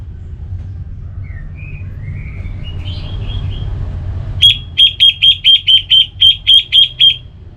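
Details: Relaxed orange-headed thrush song opening with soft, rising, slightly buzzy whistles, then a fast series of about eleven identical sharp, high notes repeated roughly four times per second over a low background hum.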